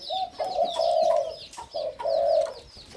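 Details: In a cage, a hybrid 'sai din' line Spotted Dove, whose voice matches its father's, crows: a short coo, then a long, steady hoarse coo, repeated, while faint high chirps of other birds sound behind.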